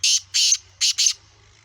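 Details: Black francolin, a Gangas Sheedi cross kala teetar of the Sindhi type with a nasal voice, giving four harsh, hissing, grating notes in two pairs, each about a fifth of a second long, in quiet surroundings.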